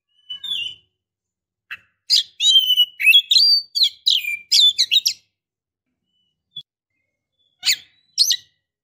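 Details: Female Oriental magpie-robin calling for a male, a dense run of chirps and whistles lasting about three seconds, then scattered single chips across quiet gaps.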